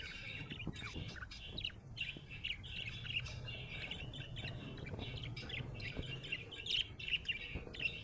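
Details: Happy budgerigar keeps up steady, scratchy warbling and chirping throughout, with squawky and clicking notes mixed in and a low hum underneath.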